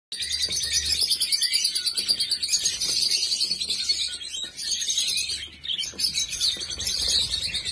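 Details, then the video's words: Rainbow budgerigars, several birds, chatter continuously in a dense, high warbling mix of chirps and scratchy trills, calling over one another with a faint low hum beneath. "rainbow budgies مرغ عشق رنگینکمان"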